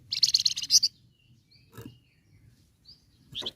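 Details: An olive-backed sunbird gives a quick, high burst of sharp twittering chirps for about a second, then a few thin, scattered high notes over a quiet background.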